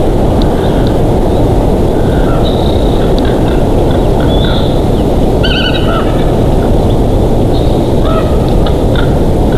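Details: Bald eagle at a nest in Big Bear Valley, recorded 27 June 2023 in mid-afternoon. Faint, high piping chirps are scattered through steady roaring wind, with a short harmonic burst of chitters near the middle.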